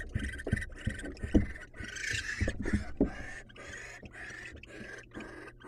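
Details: Wild barn owl male presenting his catch to a waiting female: dense run of harsh, breathy hissing bursts overlapping one another, with soft thumps and knocks below and a steady low hum behind.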